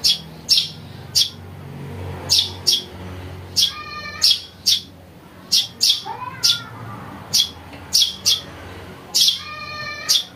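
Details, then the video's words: Calls of a house sparrow chick used to attract birds: about twenty rapid, shrill chirps, some with stacked ringing tones beneath, plus a faint sliding call midway through. "Suara anak burung greja untuk mikat"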